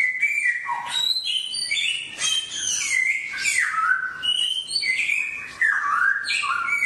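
A songbird pours out a fast, varied run of clear whistles and slurred rising and falling notes, with short chattery bursts, almost without pause.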